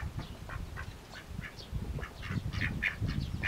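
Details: Hungry Mallard chicks feeding give quick high peeps, about two or three a second, louder toward the end, over low rustling and dabbling sounds.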